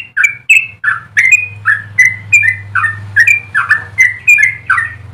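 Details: Song of a yellow-vented bulbul meant as a model for other birds: a steady series of liquid, slightly slurred whistled notes, about two per second, over a low continuous hum.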